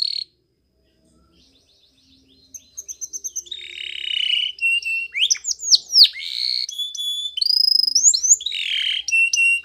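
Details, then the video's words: Spanish Timbrado canary training song: after a quiet start, soft repeated chips build into buzzy tones, swooping slurred whistles and rapid high trills, strong and varied through the second half. "Canary's Most Powerful Song For Training !! Spanish Timbrado Song"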